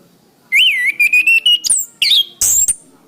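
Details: Orange-headed thrush song meant for training cage birds. A long, wavering whistle breaks into several steady notes, followed by sharp high chips and a piercing thin whistle at the end.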